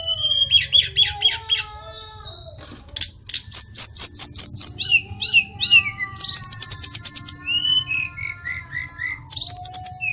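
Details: Sulingan gunung, also called tledekan, in full song: repeated trilled notes, then a rapid series of sharp high chips, descending whistled slurs and a bright buzzy trill.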